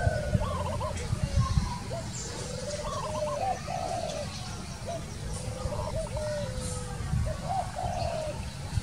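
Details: Spotted Dove (Spilopelia chinensis) gives soft, low coos in hoarse, wavering phrases every couple of seconds, over a constant low rumble of wind or handling noise.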